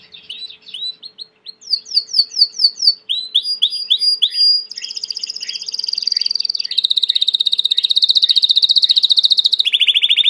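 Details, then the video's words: Belgian canary, a domestic canary, singing: soft chirps open into series of downslurred notes and rising sweeps, then rapid high trills and buzzy rolls that step down to a lower rolling trill at the end. "COMO FAZER SEU CANARIO CANTAR MUITO 20 MINUTOS DE CANTO"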